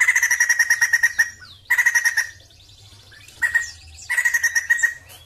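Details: Rapid pulsed chattering from a Sumatran laughingthrush, given in three or four bursts separated by short gaps, with thin descending whistles between them.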